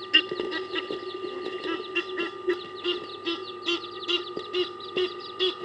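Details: Egyptian geese in a dominance battle at Kwa Maritane, fighting to retain territory; rapid, harsh, repeated honking calls, roughly two to three per second, layered over a steady low droning hum.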